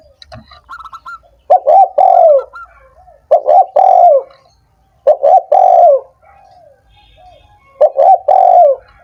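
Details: Spotted dove call for stimulating lazy doves that will not sing: a loud coo phrase of two short notes and a long sinking coo, repeated four times about every two seconds, with soft higher notes between.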